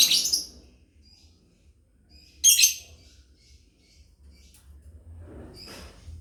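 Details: Lovebirds chirping as a family, recorded as a master for training other birds: three loud, harsh, shrill chirp bursts spaced about two to three seconds apart, with faint soft tweets between them over a low background hum.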